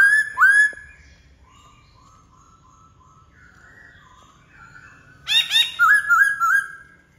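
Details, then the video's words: Black-throated laughingthrush opening with two loud rising whistles, then soft repeated mellow notes. It ends in a fast, loud run of bubbling, warbled whistles. "Khướu bạc má ...!"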